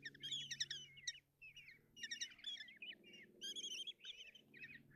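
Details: Hungarian kestrel chicks inside a nest box plead for food while the female delivers breakfast on 30 June 2024. Dense, excited, shrill trills and twittering notes rise and fall in loud bursts with short gaps.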